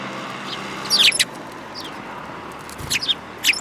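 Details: A group of sparrows recorded 5 February 2018, one with a yellow-tinged bill; bursts of overlapping sharp chirps at about one second and again near three seconds, with lighter single notes between.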